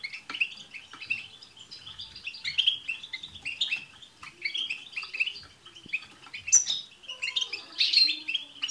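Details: European goldfinches in chorus, played to make a pet goldfinch sing: steady stream of twittering chirps and trills from several birds, with a harsh buzzy note toward the end.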